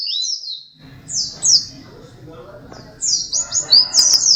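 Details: Dakun white-eye, a second-place contest winner, singing vigorously: bursts of high, sharp, rapidly slurred whistles, then a pause with a low background hum, then a longer run of shrill twittering phrases.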